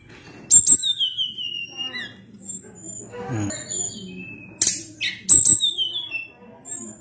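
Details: Sunda blue robin delivering a long, rolling song of clear descending whistles and sudden sharp clicks, with a brief low murmur in the middle and steady faint background hum.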